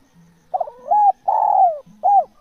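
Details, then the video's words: Spotted dove in natural voice giving a single cooing phrase: a quick wavering start, a steady coo, a longer drawn-out note falling in pitch, then a short closing coo. A soft low drone is heard before and between notes. "SUARA TEKUKUR GACOR JOSSS AMPUH TEKUKUR ALAMI"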